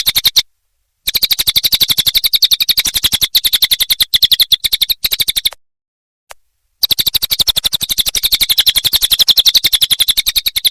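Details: A cililin sings for songbird training in rapid, high, ticking chirps delivered nonstop, with a few short pauses and one longer silent gap before the rapid series carries on.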